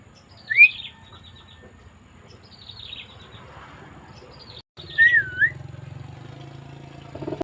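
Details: Javan myna on 20 May 2024, giving a sharp whistled slur early on and later a wavering, warbled whistle over faint scratchy chatter and a low background hum.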